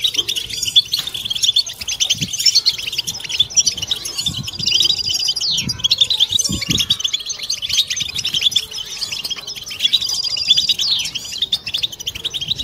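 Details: Collective batbata of European goldfinches, a mating song used to spur silent birds and females to sing; many voices pour out rapid, high, jangling twitters without pause, with a few brief buzzy trills and soft low knocks underneath.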